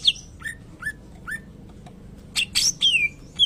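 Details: Greater green leafbird song mimicking a shama, with a series of short downslurred whistled notes spaced about half a second apart, then louder harsh bursts and a clear falling whistle.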